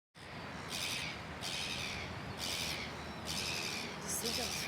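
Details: Gull screaming at a white-faced heron that ignores it: harsh, broad scream bursts roughly every second, with a person's voice close by.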